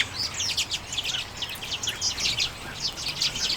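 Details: Common redpolls enjoying sunflower seeds in late January 2022, captured with a Canon EOS M50: a busy chatter of rapid, high chirps in short bursts about every quarter second.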